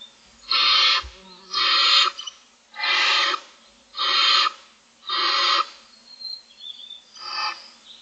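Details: Morning begging from six Barn Owl owlets at a nest on day 25, hungry for food: a series of six loud, rasping hissing screeches, roughly one per second, the last ones fainter.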